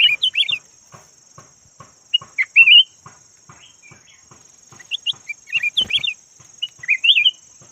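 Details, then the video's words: Yellow-type red-whiskered bulbul used as a decoy bird gives scattered short whistled and twittering phrases, softer than full song, over a regular faint ticking, a steady high hum and one sharp click. "chim chào mào vàng chim mồi"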